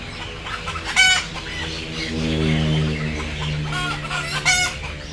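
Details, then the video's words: Sleepy chickens, frightened at being loaded on board: short, harsh squawks and soft clucks, with two louder strident cries standing out, over a low steady hum. "Sound of sleepy Chicken"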